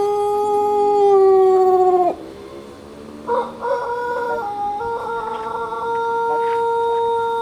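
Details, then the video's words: Long crowing of a Pelung rooster from a Sukabumi fanciers' group, sunning outdoors. A steady, drawn-out note falls away at its end, then a fresh crow rises in stepped, wavering phrases and holds a long level tone. "CACAKAN keur MOYAN tapi ciga anu keur KONTES/GACOR SUARANA"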